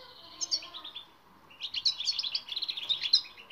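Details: Training song of a goldfinch for silent birds: a short twittering phrase, a pause, then a fast jumbled run of high chirps and trills.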